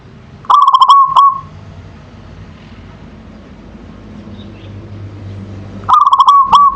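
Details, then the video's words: Manggung song of a local zebra dove, a rapid stuttering series of clicky notes ending in a short rolling coo, two phrases about five seconds apart over steady low background hum. "Suara Perkutut Lokal Manggung"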